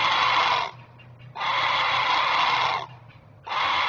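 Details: Great blue heron guarding its chicks, giving alert calls: three loud, hoarse, rasping squawks, the middle one drawn out about one and a half seconds, with a soft low hum behind.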